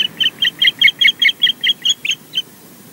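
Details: Osprey at its nest at Loch Garten, Scotland, while incubating, during comings and goings after nest intrusions in the afternoon, filmed by nest camera: about eleven sharp, whistled chirps repeated evenly, around four per second, over a low background hum.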